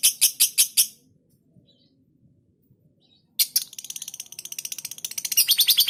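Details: Pet lovebird, a fighter-type bird kept at home and described as still shy, giving a quick burst of five sharp high chips, then near silence, then a dense run of rapid scratchy chattering notes.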